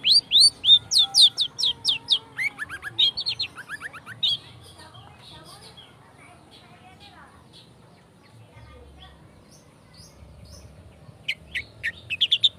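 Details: Long-tailed shrike in speed rapet style, a lure to trigger singing: an opening barrage of rapid high chips and descending whistles for about four seconds, a quiet stretch, then renewed sharp high notes at the end.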